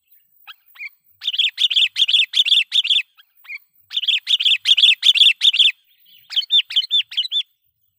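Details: Sooty-headed bulbul lure song for calling wild bulbuls to fight: fast runs of rhythmic, bubbling chirps, about two or three notes a second, in two long bursts and a shorter, lighter run at the end.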